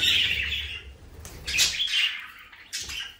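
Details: Budgerigar warbling loudly: a scratchy chattering phrase, then rising squeaky chirps and a final short burst of calls.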